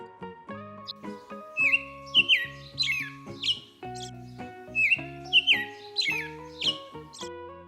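Robin calling with bright, sharp chirps in short bursts about every second, over steady background music.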